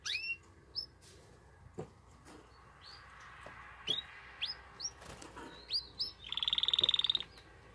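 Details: Male canary singing strongly to stimulate a female to mate: scattered short rising chirps with clicks and rustling between them, ending in a loud, fast, buzzy trill.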